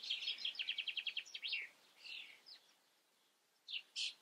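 A common starling sings a rapid run of dry clicks and rattles, then scratchy, varied phrases and brief high whistles. No other sounds stand out.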